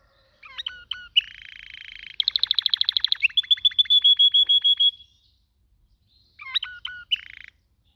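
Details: Canary singing: sharp descending chip notes, a buzzy trill, then a rapid series of loud clipped repeated notes slowing into a steady whistled roll, pause, and more chips with a buzzy ending.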